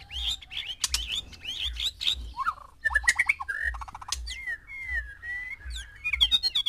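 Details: Male white-rumped shama housed with six females, singing for mating: bright jumbled phrases, chattering bursts and long level whistles, loud and varied, against a recurring low thump.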